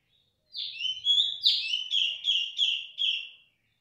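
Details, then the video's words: A female cungkok that will not stop calling delivers a loud string of roughly eight ringing whistles, each falling quickly then holding, spaced about three per second, in otherwise quiet surroundings. "cungkok wedok suarane buanter ra gelem meneng"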